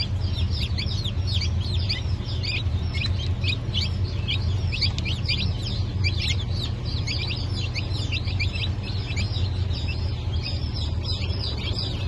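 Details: From a hatch dated 8 March 2024, a crowd of newly hatched Sussex, Sultan, Turken and Australorp chicks peep continuously in short, high, downward-slurred notes, packed closely together, over a loud, constant low machine hum.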